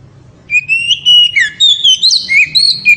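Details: Oriental magpie-robin singing the ngeriwik style to excite a female, with a fast run of clear, loud whistles that rise and fall, each note sharply separated and delivered roughly twice per second or faster.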